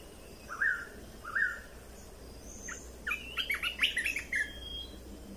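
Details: Red-whiskered bulbul song played to train young birds: two separate clear whistled notes, then a fast tumbling burst of chirps and warbles.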